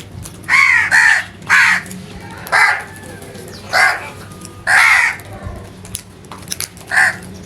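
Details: A crow giving loud, genuine calls: a rapid series of harsh, throaty caws, some in close pairs, repeating roughly every second over low background hum.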